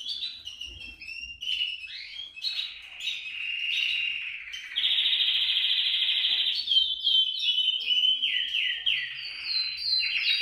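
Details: Canary singing to prompt other canaries, varied phrases of sweeping slurred notes, a loud steady buzzing trill in the middle, then repeated falling chirps.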